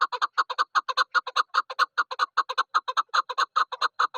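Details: Female chukar partridge used as a hunting decoy calling in a fast, steady run of paired clucking notes, about two to three per second, loud and close with no other sounds.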